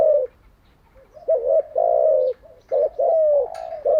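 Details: Spotted dove kept for daily training of captive birds, delivering low coos: a falling note, then paired hooked notes and long sustained tones in a steady phrase, a brief click near the end.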